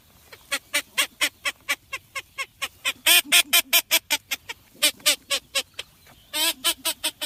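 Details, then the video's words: Blue-winged teal, offered as a sound for duck hunting in the Dominican Republic: long run of rapid, evenly spaced nasal quacks, several per second, swelling into louder harsh bursts midway and again near the end. "Sonidos del Pato de la Florida Anas Discors"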